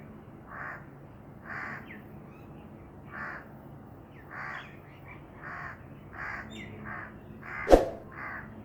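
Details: A black francolin repeats a rhythmic series of about ten harsh, scratchy notes, roughly one every three-quarters of a second. Faint chirps from other birds sit between the notes, and one sharp click sounds near the end.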